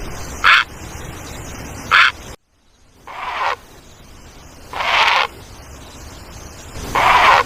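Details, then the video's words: Egret, possibly a great egret, giving five harsh, hoarse croaks, each about half a second long, spaced roughly one to two seconds apart, over a steady background hiss. "EGRET BIRD| SOUND/ CALL"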